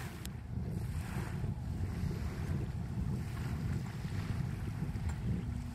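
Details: Heavy wind on the microphone over lapping water, with no animal calls heard.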